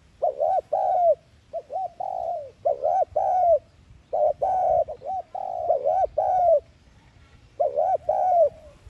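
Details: Spotted dove decoy giving a lure call for trapping, 'thúc gù' style, with repeated phrases of warbling, hooked coos and short gaps, ending after a pause with one more phrase.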